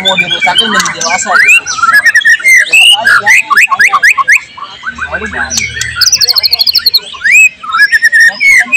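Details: Dense, energetic murai batu (white-rumped shama) song from 12 July 2023, packed with mimicry of cililin, cucak jenggot, canary and lovebird: rapid overlapping whistles, upslurs, clicks and short trills without pause, with a faint low hum beneath.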